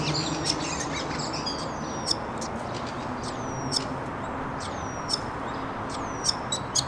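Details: Starlings on a date under a bench, courtship serenade recorded with a camera-mounted shotgun microphone: thin, high whistles sliding downward, repeated about every one to one and a half seconds over steady low background noise.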